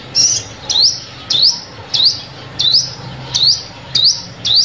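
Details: A steady run of eight bright rising chip notes, evenly spaced about every 0.6 seconds, from a sunbird call used to lure birds into traps; low hum underneath.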